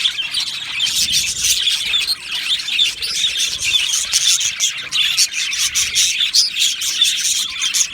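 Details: Crowded aviary of Australian budgies on 12 July 2025, filled with continuous high twittering, quick chirps and soft warbled chatter from many overlapping birds.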